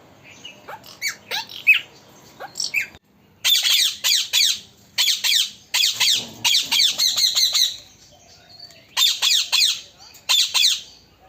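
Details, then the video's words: Parrot kept as a talking pet, first with scattered chirps, then long bursts of loud, rasping, high-pitched squawking broken by brief pauses, continuing for about eleven seconds in a quiet room. "Talking Parrot"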